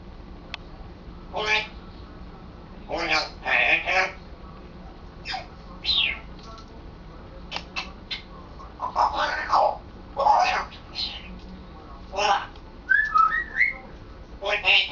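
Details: Pet African grey parrot practising words indoors; it often says the names of two household chihuahuas and has just started forming sentences. Bursts of raspy, speech-like syllables come in short phrases with pauses, plus a few brief whistled rising notes near the end.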